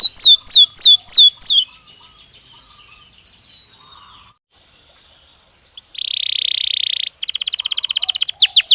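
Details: Natural song of a Belgian canary: a few bright descending slurs, a thin fading trill and near-silence, then a harsh buzzy roll and a fast high-pitched rattle to finish.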